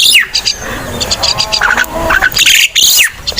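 Crested myna giving a rapid jumble of harsh squawks, creaky chatter and brief sharp whistles, high-pitched and irregular, over a faint outdoor background.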